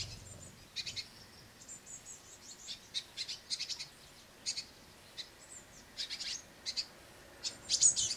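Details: Great tit brood on a window sill, noisy while a harried parent brings crushed madeleines; scattered bursts of thin, very high chirping notes, some quick clusters and some single, with quieter gaps between.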